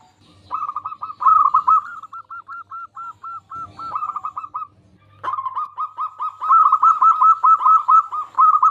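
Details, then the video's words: Zebra dove, local type, singing as a lure for other zebra doves: rolling coos slowing into evenly spaced single notes, then a pause and a long fast trilled cooing phrase. "Perkutut Lokal Gacor Suara Paling Ampuh Untuk Pancingan Burung Perkutut Agar Bunyi"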